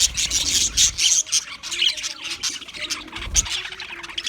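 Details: Budgerigar of the English (Australian) kind, recorded February 14, 2024, giving a steady stream of high, scratchy chattering notes with occasional sharp squeaks, a dull knock near the end.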